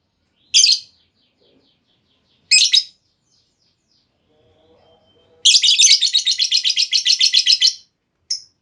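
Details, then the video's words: Female lovebird calling as a lure for a long trilling answer: two single harsh chirps, faint low sounds, then a long, even chattering trill of about sixteen rapid scratchy notes over two seconds, and a last short chirp. "Pancingan Burung Lovebird Betina! Bakal Langsung Respon Lovebird Segala Kondisi Auto Ngekek Panjang"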